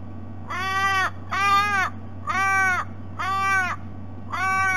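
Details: Ravens on a noisy morning visit to a sea-eagle nest at Sydney Olympic Park, Australia, 3 February: five drawn-out, harsh, nasal calls with arched, harmonic-rich tones, roughly one per second, over a steady low hum.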